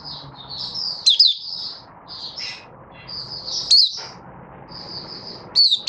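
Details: Caged Malaysian Oriental white-eye (mata puteh) singing a happy buka-style song, recorded 27 February 2023: high thin twittering phrases with sharp down-slurred whistles, bursts separated by short pauses, faint low room hum beneath.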